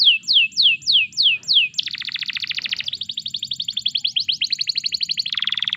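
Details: Canary singing as a master song for other canaries: five loud downslurred whistles, then a long rapid trill shifting through several fast repeated note types.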